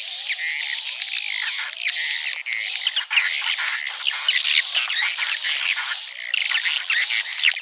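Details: Roosting calls of swiftlets, a continuous thick wash of high chattering chirps beneath a level thin whistle tone, with soft low gliding notes early in the stretch.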